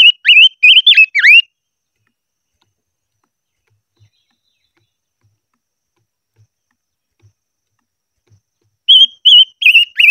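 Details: Silver-eared mesia in voice training, singing a burst of warbled whistled phrases with dipping and rising slurs. A long silence follows, broken by faint soft taps. A second burst of similar whistling comes at the end.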